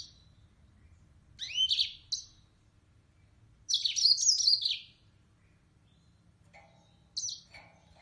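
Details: Yellow-fronted canary (Mozambique serin) giving brief bursts of high, warbled chirping phrases separated by quiet pauses, with a couple of shorter single notes.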